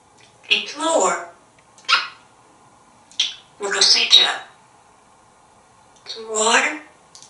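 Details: Talkative male African grey parrot, hatched in 1997 and kept at home in Texas, sits on a kitchen counter talking: four bursts of human-like speech with rich, breathy formants, separated by short pauses in a quiet small room.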